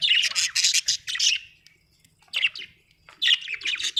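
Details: Happy pet budgerigar singing in fast, harsh chattering bursts, a long warbled phrase, a pause, then more scratchy chirps and squeaks.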